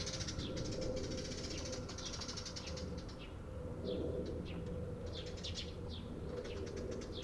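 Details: Eurasian tree sparrow chirping on 28 April 2022: brief high chirps, some in quick pairs, spread irregularly across the clip against constant low-pitched background noise.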